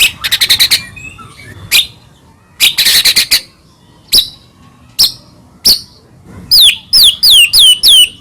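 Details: Song of a white-rumped shama played as a lure to stir rival shamas: a quick rattle of clipped notes, scattered sharp chips, then a closing series of clear, high, downslurred whistles.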